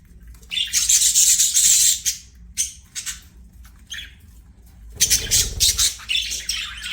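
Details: Budgerigar chirping in two loud bursts of scratchy, high warbles with quieter squeaks between, and a brief low thump near the second burst.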